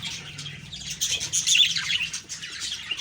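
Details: Morning budgie chatter recorded October 2, 2023, with busy overlapping high chirps and scratchy warbles that swell in loudness around the middle of the stretch.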